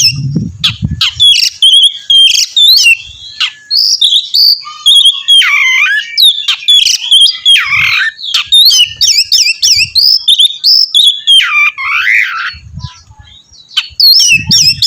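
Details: An Oriental magpie-robin in full song, urging another bird to answer. Varied loud whistled phrases are mixed with scratchy chatter and swooping notes, almost without pause, over occasional low knocking sounds.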